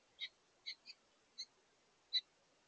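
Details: Five short, high chirps from a house finch couple at a bird feeder during their final meal of the day, communicating throughout; notes come singly and in a quick pair, the last one loudest.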